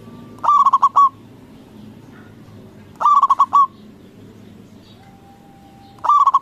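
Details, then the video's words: Loud local zebra dove cooing to provoke answers from rival doves: three stuttering phrases roughly every three seconds, each of quick throbbing notes with a drawn-out ending, a faint steady tone and low hum between. "Perkutut lokal Gacor Suara BESAR bikin Cepat Emosi Lawan Auto Nyaut Seketika"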